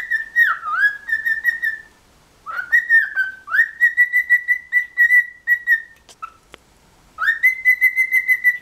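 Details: Cockatiel, described as funny and cheeky, gives clear whistled phrases: a dipping note, then runs of steady pulsed whistles on one pitch, broken by short pauses and a sharp click.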